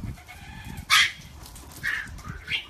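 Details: Squawks from a large aviary holding over 1000 African grey parrots: a loud harsh burst near the start, then two shorter whistled calls, over a steady murmur of more distant flock chatter.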